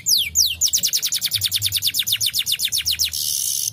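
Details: Lure recording of canary song to rouse lazy caged canaries into singing: a few long falling whistles, then a fast even trill of high descending notes about eight per second, ending in a harsh hissing burst.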